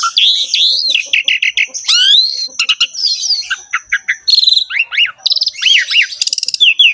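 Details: Javan pied starling (jalak suren) in full gacor song, with a fast varied stream of slurred upswept whistles, clipped chirps, buzzy notes and rising hooked phrases, dense and almost unbroken.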